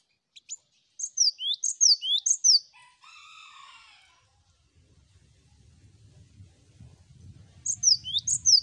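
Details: Cinereous tit (gelatik batu) in a lively ombyokan master recording of several birds, meant to prompt singing: bright two-note phrases, a high downslurred whistle then a rising note, repeated about every second, broken by a harsh buzzy rattle and low rumble.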